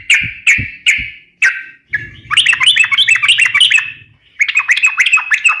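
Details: Lively sooty-headed bulbul song used as a lure and training tutor: a few separate clear notes, then a fast tumbling warble of rising and falling whistles, with a low hum in the background.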